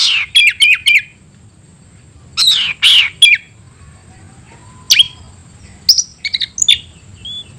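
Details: Caged oriental magpie-robin, 'tayoraky' variant, giving scattered bursts of harsh chips and short whistled notes separated by gaps of quiet, with one low, thin whistle in between.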